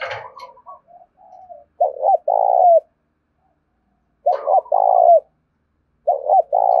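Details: Loud urging coo of a tame spotted dove decoy from rural Đồng Nai, Vietnam, used to call in wild doves: three phrases, each two clipped hoots then a drawn-out falling coo, spaced about two seconds apart.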